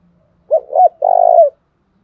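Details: Spotted dove, Đồng Nai, uttering the provoking coo used to rouse decoy birds: a single clear low phrase, two brief curved notes then a sustained throbbing coo, in silence.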